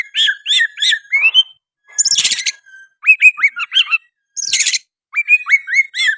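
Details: Oriental magpie-robin song with sooty-headed bulbul phrases, mixing repeated hooked whistles with two loud harsh rasping bursts and quick chips.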